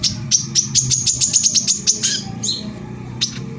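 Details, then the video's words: Korlap sunbird giving a quick run of sharp, high chirps that blur into a shrill trill for about two seconds, followed by a couple of isolated squeaky notes; a lure song intended to make other sunbirds sing. "suara pancingan korlap gacor tembakan rapat"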